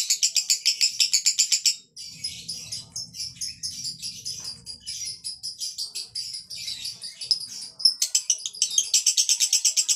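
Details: Male lovebird in konslet song: bursts of fast, buzzy high pulses at the start and end, with a looser stretch of twittering chirps between them.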